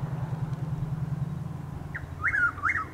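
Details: Predawn Chuck-will's-widow near Lake Placid, Florida, 12 April 2023: after a stretch of low engine-like rumble, a single short note and a fast whistled phrase close the recording.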